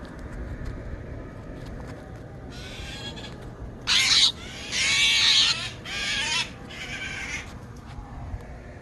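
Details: Young Steller's jay fallen from the nest, angry during its rescue, giving a series of five rough, hissing screeches, starting faint then louder, about one per second, over a quiet background.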